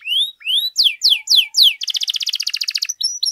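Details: Canary in continuous song for tutoring and provoking other canaries: two long rising whistles, four loud downsweeping notes, then a dense rapid rattling trill and a few short clear whistles.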